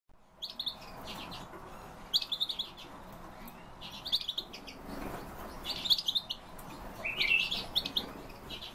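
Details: Bohemian waxwings (Bombycilla garrulus), several kept birds, give high, thin, buzzy trills in short bursts every second or two, calls overlapping, over a soft low background hum.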